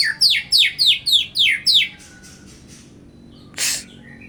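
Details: White-rumped shama, a kept bird sunbathed in strong sun to raise its vigour and mood: a rapid run of seven sharp, downward-sweeping whistled notes, about four a second, then a short harsh burst after a pause.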